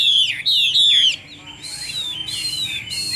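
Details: Caged Chinese hwamei from Vietnam, kept as a songbird. It gives a second of rich, swooping whistled phrases, then falls quiet while a faint higher whistle and steady hiss continue.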